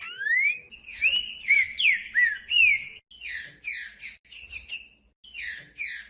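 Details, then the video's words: Green-winged saltator song played to stir cold saltators into singing: a rising whistled opening, then loud slurred notes dropping and looping. Bursts of buzzy, rasping phrases follow, split by brief silences. "ESQUENTAR TRINCA FERRO FRIO COM TRINCA FERRO CANTANDO"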